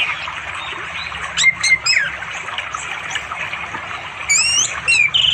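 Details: Orange-headed thrush calling a female to mate in the afternoon beside a flowing river in quiet forest in East Java, recorded on an Android phone; sparse clear whistled phrases with slurred notes, pauses between, over a soft steady background hiss.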